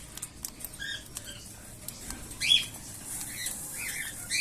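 Young cockatiels give short, raspy chirps and squeaky begging notes while being fed.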